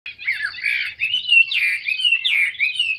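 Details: A large, tamed captive Chinese hwamei pours out a loud, continuous song of rich whistled phrases, sweeping up and down and changing every second or so, with no other sounds.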